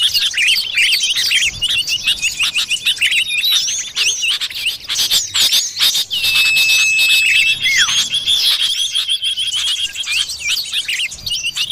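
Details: Wild forest common iora sound for luring birds: a steady drawn-out whistle around the middle ends in a falling slur, amid continuous thick high-pitched chatter and chirping from many birds.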